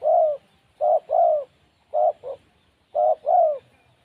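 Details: Spotted dove of wild stock, noted as lacking nerve, delivering low soft coos. The notes fall in uneven pairs and triplets, each longer coo sliding slightly downward, with clear pauses between groups.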